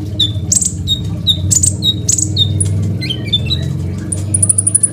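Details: Crimson sunbird, a caged master singer for training other birds: high piercing chips and falling whistles, then lower slurred notes and a sustained high trill near the end, partly masked by strong low rumbling noise.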